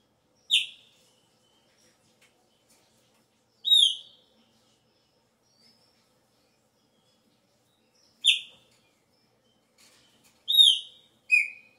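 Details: Chopi blackbird at season start, shifting its song: short bright whistled notes given singly at irregular gaps of three to four seconds, closing with a quick pair of whistles, in near silence.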